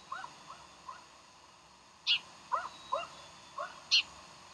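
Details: Morning of 15 January 2012 at Decorah: bald eagle calls, soft chips building to loud, shrill, squealing notes, two very high piercing squeals alternating with lower yelping ones.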